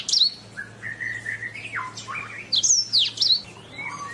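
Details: Canary master song for training birds: slow drawn-out whistled notes, a stepped falling phrase, then sharp high sweeping notes, with a faint low hum beneath.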